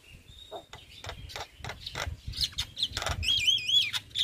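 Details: White-eyed Javan myna (jalak kebo) lure song meant to get idle birds singing: scattered chirps and clicks over a steady low hum, building to loud wavering whistles at the end.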